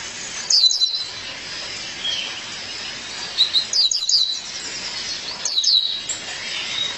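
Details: Calling for her mate, a female violaceous euphonia gives three bursts of sharp, high chirps roughly every two and a half seconds, with soft background hiss between them.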